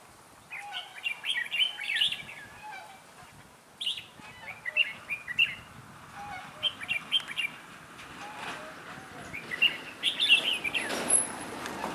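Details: Decoy red-whiskered bulbul, a trainee lure bird at a trap for wild bulbuls, 11 December 2016, gives repeated short, cheerful warbled phrases with a few sharp chirps; a rustling burst near the end.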